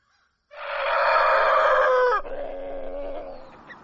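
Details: Rooster crowing at dawn: one long loud harmonic crow held steady for about a second and a half, then dropping into a lower, quieter trailing tail before fading out.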